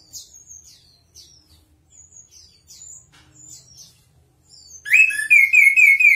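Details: Chestnut-capped thrush in full song: a run of thin, high, quick descending notes repeated about twice a second, then an abrupt loud rich whistled phrase with rolling, bubbly repeated notes.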